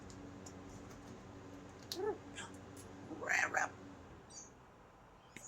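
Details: Pet Amazon parrot indoors, giving two short bursts of harmonic, up-and-down squawky calls, a brief one and then a louder double note, over a steady low room hum.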